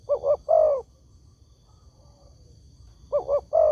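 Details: Spotted dove calling as a lure for other doves to answer: a quick double coo and a longer, falling coo, a pause of over two seconds, then the phrase begins again.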